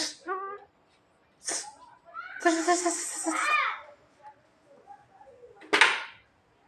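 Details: Javan myna copying a person's cough: a short harmonic note opens, then a long rasping broadband burst about a second long and a sharp hissing snap near the end, with quiet gaps between.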